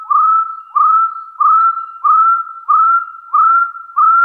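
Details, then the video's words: Hill partridge giving its challenge call against rivals: seven clear whistles, each sliding upward from a lower start and then held steady, repeated about every two-thirds of a second with hardly a pause. "Tiếng gà so rừng chọi cực chuẩn"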